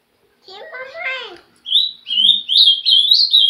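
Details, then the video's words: Trinca-ferro (green-winged saltator) song: after a second of a person talking, bright whistled notes follow in quick succession, slightly rising and wavering, repeated several times without pause. "Trinca ferro.. marento"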